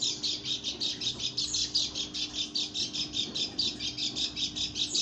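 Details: Lombok white-eye hen gives a strange, steady series of shrill, rasping high notes, pulsing evenly several times a second throughout. A constant faint mains-like hum sits beneath.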